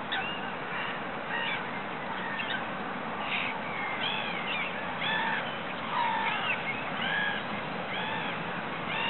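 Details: Water rail in a ditch at Regent's Park, giving short squealing, harmonic-rich calls about once a second, some arching up and down in pitch, over a steady broadband hum of background noise.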